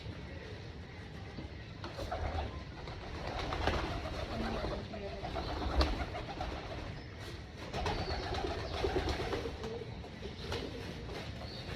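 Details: Pigeons on a rooftop pigeon farm at breakfast feeding time, low murmuring coos blending into a dense, steady background of shuffling and rustling, with a few sharp clicks and taps.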